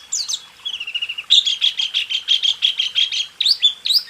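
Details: White-eye training song, rool tembak style: a soft descending trill of small notes, then a rhythmic run of buzzy, pulsed chirps about four per second, closing with high slurred whistles.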